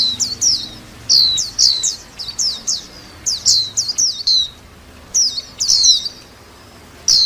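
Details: White-eye song of bright, high, downslurred chirps delivered in clustered phrases of three to six notes with short gaps between.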